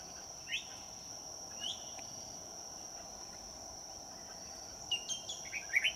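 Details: Red-whiskered bulbul at a trapping site on a day turning cold: short rising whistled phrases at about one and two seconds, then a burst of several quick chirped notes near the end, over a steady high insect drone.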